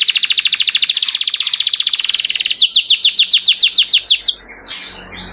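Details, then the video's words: Canary song for luring canaries to sing: a rapid, dense high trill slows into evenly spaced down-slurred notes, then breaks off into a brief pause and a fading rasp. "Pancingan Bunyi Burung Kenari Supaya Cepat Gacor"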